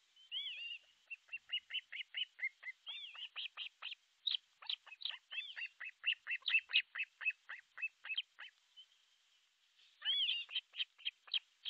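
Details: Osprey at a nest in Pohjois Satakunta, Finland, 6 July 2023 around 12.31: long bout of piercing whistled chirps, starting with a slurred whistle, speeding into an even run of short notes, pausing, then resuming with slurred whistles.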